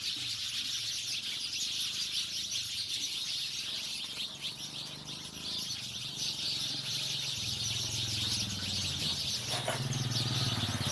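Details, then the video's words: House sparrows chirping as a dense chorus, many high, rapid chirps overlapping into a continuous bright twitter, with a low rumble of background noise underneath. "Sparrow गौरैया अब शहर से दूर गाँवो मैं निवास करने लगी है, आवाज आपको जरूर पसंद आयेगी !!"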